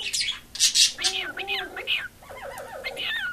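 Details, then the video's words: Pet female cockatiel that loves attention, singing indoors in a small room with harsh squawky notes, then a rippling run of lower warbles and a final drawn-out whistle. "Marigold Singing"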